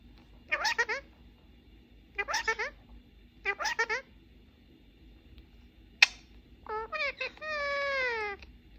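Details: A male pet Ring-necked parakeet talking in Persian and English with a mobile phone: three short, harsh word-like phrases about a second apart, a sharp click, then chattering syllables ending in a drawn-out falling note.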